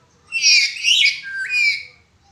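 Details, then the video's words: Black-capped lory giving a cracked-voice call, recorded as training material for other birds. A single rasping, broken screech lasting about two seconds, in three swelling parts, the last sliding upward, with faint low background hum. "Burung Nuri kepala hitam suara pecah cocok untk Masteran"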